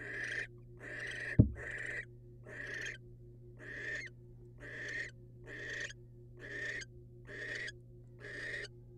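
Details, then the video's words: Wild barn owls at a nest, the male bringing a rodent to the female: harsh, broadband hissing screeches repeated about every 0.7 seconds, with one sharp knock and a steady low hum. "Male barn owl brings rodent to female"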